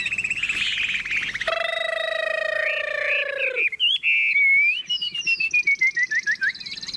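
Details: Tame caged Chinese hwamei, carried by hand with its cage shaken. Its song opens with high warbling, then a long nasal, harmonic-rich buzzy note, then clear whistled notes that slide and fall, with rapid pulsed phrases at the end.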